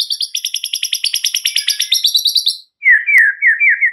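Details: White-rumped shama song used as a lure to excite other shamas: a rapid, rattling trill of high notes lasting over two seconds, then a few rich, lower, slurred whistles with a single sharp click.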